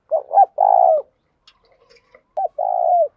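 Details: Tame lure spotted dove calling to provoke cooing: two loud phrases, first two short notes then a long even coo, second a single short note then a long coo, faint clicks in between.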